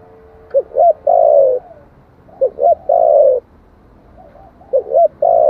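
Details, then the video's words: Spotted dove cooing in the 'giọng thổ' style, a lure song meant to stir wild doves into answering: three phrases, each two short soft hooting notes then a longer mellow coo, repeated roughly every two seconds over a quiet background. "tiếng chim cu gáy giọng thổ chuẩn kích bổi nhanh nổi"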